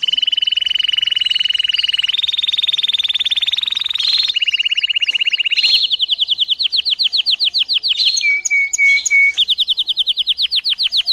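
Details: Singing domestic canary (canário do reino), for training young birds: long rapid rolling trills held on steady pitches that step up and down, broken by short buzzy bursts and a brief clear repeated note before the rolls resume.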